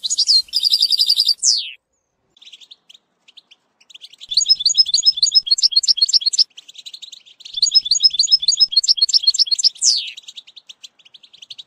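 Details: European goldfinch song used for training a young bird, with batbata passages: liquid twittering phrases, a buzzy trill and a sharp downslurred note, then pauses and two long bursts of rapid chattering notes.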